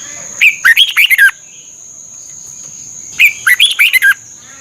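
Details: Red-whiskered bulbul from Thailand, its song played to train and excite caged birds. Two lively phrases of chirpy, swooping whistles come nearly three seconds apart, each closing with a descending note. A steady high tone is heard throughout.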